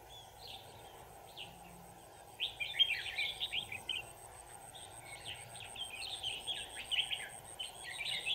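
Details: Decoy red-whiskered bulbul singing while used for trapping, recorded 25 November 2018: quick, jumbled chirping phrases that grow more continuous after a short quiet start, over a faint steady high ticking and background hiss.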